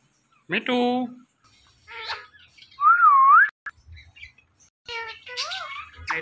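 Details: Pet ringneck parrot in a talking session: a deep harmonic vocal syllable, softer mumbles, then a loud wavy whistle dipping and rising, followed by more rapid speech-like chatter.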